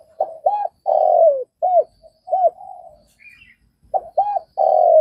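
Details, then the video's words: Spotted dove in Vietnam repeating its cooing phrase, short bent notes leading into a drawn-out falling coo, with soft murmured coos between phrases and a brief high chirp from another bird. "Tiếng cu gáy Việt"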